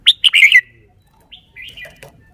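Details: Red-whiskered bulbul kept as a cage bird, showing off its song phrasing: bright whistled notes in a quick cluster, then a pause and a softer, slurred whistled phrase.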